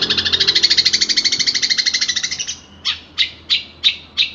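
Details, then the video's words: Long-tailed shrike song recorded as a master for training other birds: a fast harsh chattering rattle lasting over two seconds, followed by slower, evenly spaced loud rasping notes about three per second. "Masteran burung cendet terbaik full isian."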